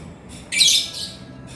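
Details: A 'gacor' male lovebird gives one intense burst of piercing, rasping chatter lasting about half a second, with faint softer squeaks just before and after in a quiet room.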